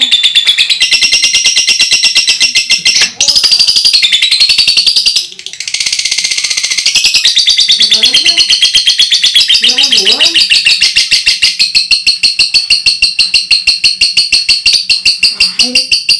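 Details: A lovebird in song training pours out a loud, shrill, unbroken chatter of rapid high notes, the loud 'ngekek' call.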